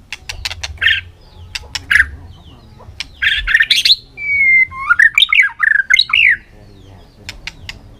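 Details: White-rumped shama in heated contest singing, afternoon sun: sharp clicks and harsh bursts lead into a long steady whistle that breaks into looping, tumbling whistled notes.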